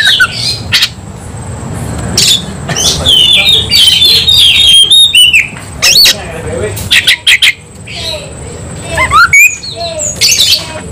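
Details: Oriental magpie-robin in fighting mood, with scattered harsh chatters, sharp clicks and whistled slurs between quieter stretches, over low background rumble and a steady faint high tone.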